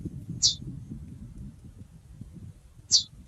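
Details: A female curió, the chestnut-bellied seed finch, gives two brief high chirps about two and a half seconds apart over a soft low hum.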